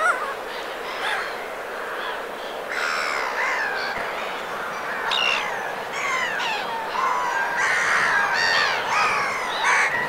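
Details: Black-headed gulls in winter plumage at the Vilaine estuary in Morbihan, France, recorded 22 February: a busy jumble of raspy, squealing calls from several birds, thickening toward the end.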